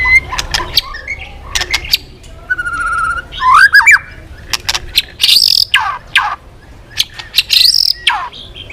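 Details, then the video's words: White-rumped shama, once quiet and now singing actively again: varied loud phrases of clear whistles, rising and falling slurred notes, harsh buzzy bursts and sharp chips, with pauses between phrases and faint low background rumble. "murai batu diam jadi rajin bunyi kembali"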